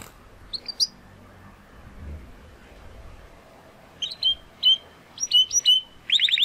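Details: Young male Spanish Timbrado canary, classic style, learning his full song, gives scattered short chirps separated by quiet gaps, building to a brief fast roll at the end.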